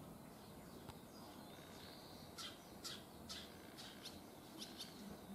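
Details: Barn swallow fledglings on their first day out of the nest, having left early in the morning and already flying far. Short sharp chirps sound in an uneven series of about six over three seconds above steady outdoor hiss.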